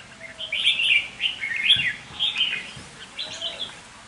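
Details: Red-whiskered bulbul decoy in a cage delivering short bubbly warbled phrases, about four bursts with small gaps between them.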